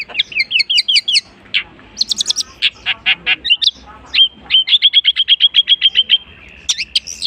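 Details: Long-tailed shrike singing a rich mimicry sequence: fast chattering phrases, buzzy notes and high trills, then a long rapid run of sharp whistled chips, closing with a high squeaky flourish.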